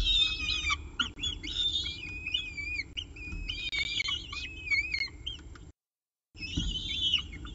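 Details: On 24 October 2018 at 7:59 am, a peregrine falcon feeds on a pigeon at the CSU Orange nest; busy, jumbled squeals and curved whistled notes, repeated in clusters, a silent break near the end, low hum throughout.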